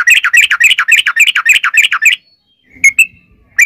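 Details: Yellow-vented bulbul in long-rolling rapid song, played as a lure to get other birds singing: a fast chattering stream of bubbly notes for two seconds, silence, then a few separate clear whistles.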